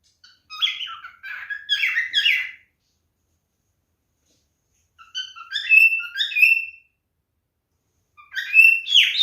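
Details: Male cockatiel whistling to court a female: three bursts of choppy, varied chirps and squeaky whistled phrases separated by quiet gaps of a few seconds.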